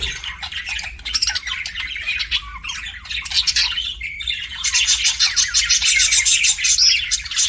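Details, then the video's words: Budgerigars as pets chirping in rapid, irregular scratchy bursts, growing louder and denser toward the end with thin high whistled squeaks. "BUDGIES CHIRPING SOUND"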